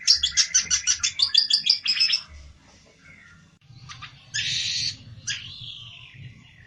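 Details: Olive-backed tailorbird seeking a rival gives a fast, regular series of about a dozen high ringing notes, falls quiet, then adds a short harsh burst and one drawn-out falling note.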